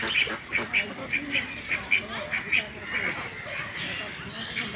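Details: Short, bright duck calls from a farm pond repeat in a quick, fairly regular series, close to two per second, over a constant hiss of background noise.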